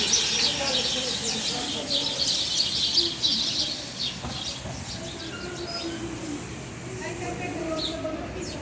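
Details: Sparrows in Bucharest, Romania: a busy burst of high, rapid chirps for the first four seconds, then only scattered faint chirps over a low murmur of background sound.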